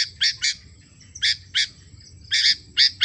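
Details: Lively 'gacor' kutilang, the sooty-headed bulbul, giving quick pairs and single bursts of harsh, high chirps, some doubled, over a quiet low background hum.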